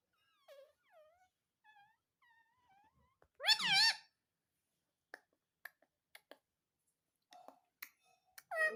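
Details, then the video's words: Parrot talking "mummy": a series of faint falling whistles, one loud wavering harmonic call, scattered clicks, and a final loud syllable at the end. "Mummy Mummy Bolne Wala parrot || ❤️🦜❤️ || Cute Parrot Mitthu taking mummy"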